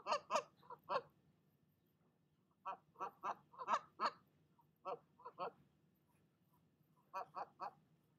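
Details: Goose defending her nest from another goose, uttering clusters of loud, rasping honks with quiet gaps between the bursts and a faint low hum beneath.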